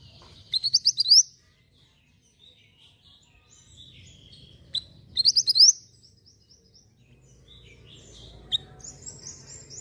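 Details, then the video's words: Javan white-eye singing constantly, recorded as tutoring material: two short bursts of rapid, high rising chirps about four seconds apart, with softer twitters between and a low background rumble. "Burung Mantenan Gacor Volume Bening Ampuh Untuk Masteran"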